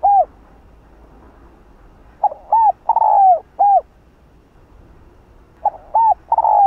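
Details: Spotted dove coo in the 'Hạp Bổi' style, used to rouse other doves: a closing note, then a full phrase of two short coos, a drawn-out descending coo and a clipped last note, with a second phrase starting near the end.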